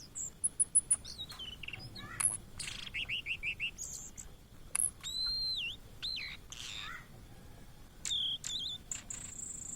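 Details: Blue-and-white flycatcher, a migrant bird often seen in Indonesia, singing vigorously: high thin whistles, a run of short buzzy notes, then looping slurred whistles falling and rising, with other bird notes scattered through.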